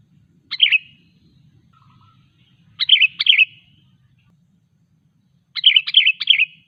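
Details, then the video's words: Sooty-headed bulbul song used as a lure to get other bulbuls singing and draw wild birds closer: short bubbly phrases of two or three quick notes, repeated every two to three seconds, with a faint low hum beneath. "Suara Burung KUTILANG GACOR 100% ampuh untuk memancing Kutilang lain agar bunyi"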